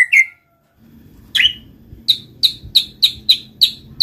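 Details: White-rumped shama song used as a lure for silent shamas: a short sharp note, then a row of crisp high chipping notes repeated about three times a second over a low background hum.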